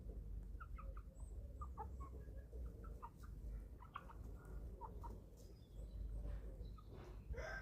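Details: Eleven-week-old chicks feeding on a small German family farm give a busy stream of short, high peeping notes and soft clucks, several per second, against a constant low outdoor rumble.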